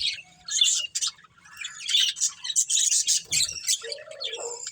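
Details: Breeding pair of budgerigars chirping in quick scratchy bursts and short tweets, ending with a lower drawn-out warbled note.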